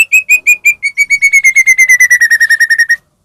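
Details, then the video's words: Medan-type white-rumped shama singing as a lure for other shamas: a steady, fast trill of about twenty clear whistled notes, starting with spaced notes and speeding up while the pitch slowly falls. "murai batu gacor AMPUH buat PANCINGAN murai batu agar bunyi"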